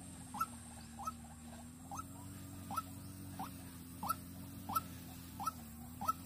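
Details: White-breasted waterhen kept for luring as a decoy in Vĩnh Long. It gives a chain of nine brief rising notes, slightly irregular in spacing, against a soft continuous hum.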